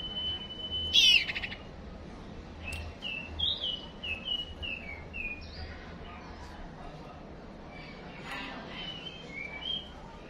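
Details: Captive white-rumped shama, a male being roused quickly with a female decoy call for fighting: a sharp whistle, then a run of short, clear, descending whistled notes and later softer whistles over a low hum.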